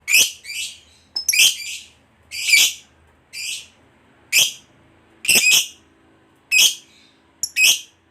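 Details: Lovebird, a fighter type, calling: sharp, high, buzzy chirps given singly or in quick pairs about once a second, with quiet gaps between, and no other clear sounds.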